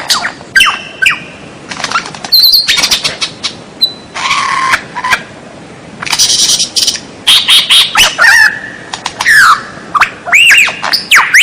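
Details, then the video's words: White-rumped shama song from a captive-training recording: a long, rich sequence of buzzy bursts, short clear whistles, and near its end looping, rising and falling arched notes, loud and continuous. "MASTERAN MURAI BATU SUARA ANEH"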